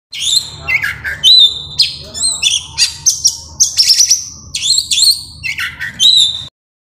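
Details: Oriental magpie-robin song played as a lure and master for other birds: loud varied whistles, sharp descending slurs and buzzy bursts in rapid, continuous phrases, over a faint low hum.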